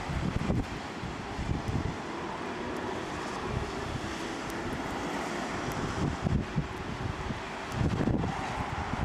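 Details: Gusty wind buffeting the microphone over a low vehicle or aircraft drone, with no animal sound.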